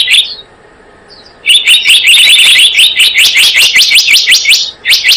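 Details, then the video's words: Piercing, rapidly repeated high notes of a blue-eared kingfisher lure call, starting after a short pause and running steadily to the end, about six notes a second. "Suara pikat burung selendang biru"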